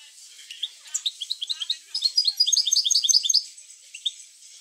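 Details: Goldfinch song meant to stimulate goldfinches to sing: scattered high chirps build into a dense, excited twittering cluster of tinkling notes, then trail off into single calls.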